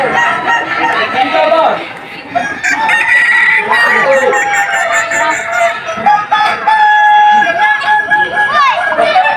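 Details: Kukuak Balenggek roosters competing in the Boko-class final, the top class of a crowing contest at Sawahlunto, West Sumatra, 2025, a breed known for tiered crows of at least five steps; long, steady, stepped crows overlap one another over crowd chatter.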